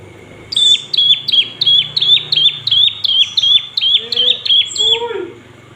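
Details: Olive-backed tailorbird call used as a lure to rouse other birds into song: a fast, steady run of about a dozen high, sharp chirps, each a flat note with a down-flick, nearly three per second, then a lower squeak at the end.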